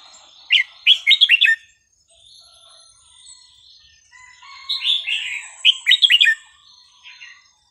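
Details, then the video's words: Song of a red-whiskered bulbul, played so young birds can learn it: two lively phrases of fast, bubbling whistled notes, each ending in a stuttering flourish, with a quiet gap between. "นกกรงหัวจุกสำนวนเพราะๆ ร้อง เพลงไม่ซ้ำกัน เปิดสอนลูกนก"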